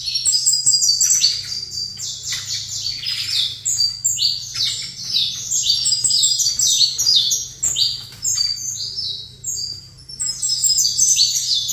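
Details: Captive saffron finch singing while placed facing another saffron finch: rapid, dense series of high, sharp chirped and trilled notes in overlapping bursts, nearly continuous with brief pauses, over a steady low electrical hum.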